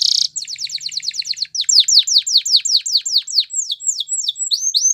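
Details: Canary singing: a brief harsh burst, then a fast tour of high downslurred notes, then slower, fuller sweeping notes about three per second, ending in short rising whistles.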